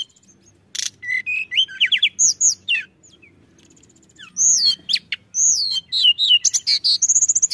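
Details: Pied bushchat song used as a lure to draw other birds. Loud, rapid, high whistled phrases with sharp rising and falling sweeps. A short opening note comes first, then a pause, then dense bursts of notes.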